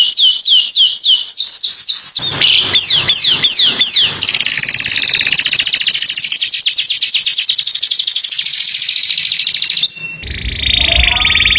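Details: Canary song in the morning: repeated descending whistles, a few slower swooping notes, then an extended rapid rolling trill, followed by a brief change in tone.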